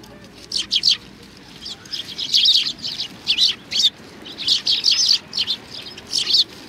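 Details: At a Tenmangu shrine on 25 November 2020, sparrows arriving to be fed chatter with shrill, clipped chirps. The calls come in loose clusters that swell in the middle and again near the end.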